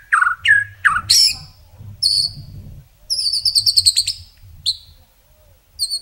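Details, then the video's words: White-rumped shama (murai batu) song in Indonesian masteran style, rich repertoire with long bursts: falling whistled notes, then rapid ringing high trills and short sharp phrases, over a faint low rumble. "Masteran Murai isian mewah tembakan panjang panjang super pedas | shama bird song"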